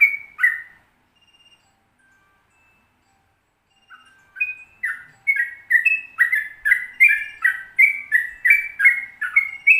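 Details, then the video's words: Sooty-headed bulbul singing a long continuous series, used as a tutor recording for dawn, midday or night: after a brief opening phrase and a near-silent gap, quick fluty whistled notes follow back to back, bubbling and slightly rising. "Trucukan Ropel Panjang Gacor"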